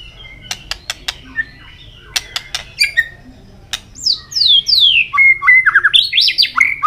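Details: White-rumped shama singing in contest with tail flicking: scattered sharp clicks, then loud swooping downslurred whistles and a fast burst of varied whistled notes.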